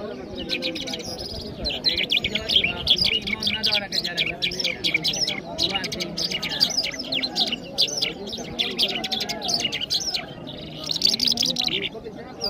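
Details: Iranian Mashhadi jal singing in Kabul, Afghanistan: a long, dense, continuous warble of high chirps and twittering notes with brief louder surges, over low background chatter.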